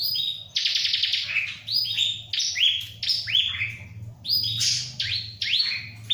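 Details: Ciblek (bar-winged prinia) in full song near a myna: a rattling trill, then about a dozen quick rising, upslurred chirps repeated in steady succession, with a low background hum.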